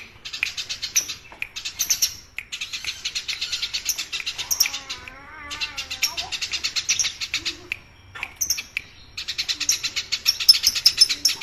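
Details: Eurasian tree sparrow kept as a tutor voice for training songbirds, giving noisy, fast, varied chattering: bursts of rapid high chirps repeated almost continuously, broken by short pauses, with a lower wavering tone in the middle.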